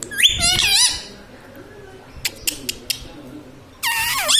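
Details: Talking pet Indian ringneck parakeet that says mummy, papa and radhe radhe: a rapid warbled speech-like phrase, a stretch of soft clicks and taps, then a harsh descending call at the end.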